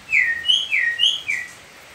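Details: Young Sumatran oriental magpie-robin aged seven months, pastol type, singing cililin-style training song for young birds: four clear whistled notes alternating lower and higher, each sliding slightly, in under two seconds.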